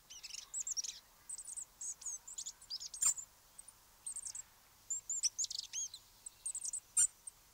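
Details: Eurasian treecreeper giving a busy run of very high, thin, hissing and twittering notes in irregular bursts, with a couple of sharp louder clicks; otherwise quiet surroundings.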